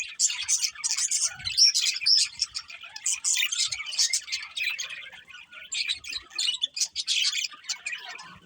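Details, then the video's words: Budgies chirping in lively bursts of sharp tweets, scratchy chatter and a couple of clear whistled notes, pausing briefly between phrases. "Cute Budgies Chirping Sounds"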